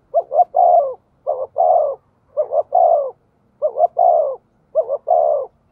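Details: A decoy spotted dove calls steadily to lure wild doves. It gives five even phrases, each two short hollow notes and then a long descending coo, about one second apart. The background is clean and quiet.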